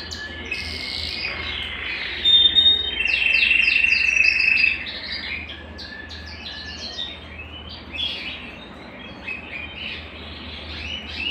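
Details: Belgian canary song used to warm up a cold canary: a loud rolling trill of about two seconds, followed by scattered quick high chirps and short trilled phrases over faint hum.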